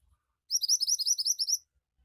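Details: Javan white-eye in fast, lively 'gacor' song: a rapid burst of about a dozen high, bright, slurred chirps packed into one second, followed by quiet.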